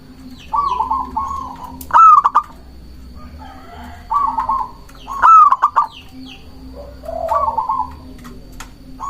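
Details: Zebra dove of local Indonesian stock singing to lure and provoke rival doves; soft burry cooing notes alternate with louder staccato cooing bursts roughly every three seconds, with a constant low hum beneath.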